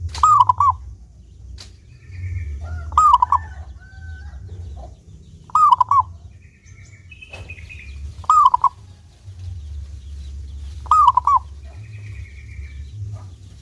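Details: Local zebra dove with a clear voice, used as a lure to make other zebra doves sing often; a rolling, trilled cooing phrase repeats about every two and a half seconds, five times, with faint thin chirps from other birds and a low background rumble.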